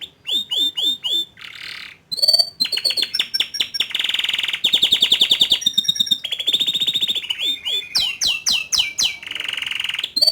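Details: Young male canary singing to stir a juvenile into opening its beak and singing. A rapid, varied song of repeated downslurred notes, buzzy trills and high whistled rolls, with phrases changing every second or two.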